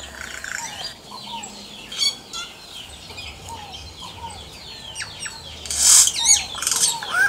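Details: Yellow-rumped cacique singing in the wild: a long string of quick descending whistled slurs and clicks, ending in loud harsh rasping bursts and a rising liquid note.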